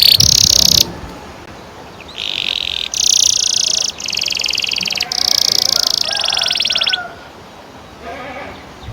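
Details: Canary in long rolling song, used to train young canaries to sing: dense, buzzy trills in bursts of one to two seconds, separated by short gaps, the last phrase fainter.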